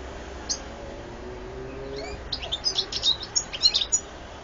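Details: European goldfinch singing in 2014: after a quiet start, a quickening burst of high, bright twittering notes in the second half, with a soft low hum underneath.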